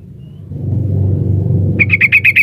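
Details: A low rumbling noise swells first. Then a female sooty-headed bulbul gives five quick, bright piping notes while calling the male.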